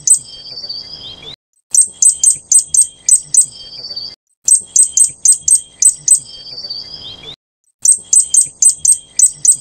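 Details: Fire-breasted flowerpecker of the Taiwan-endemic subspecies Dicaeum ignipectum formosum giving very high, sharp ticking notes in quick bursts of six or seven, between short thin trills and brief silences.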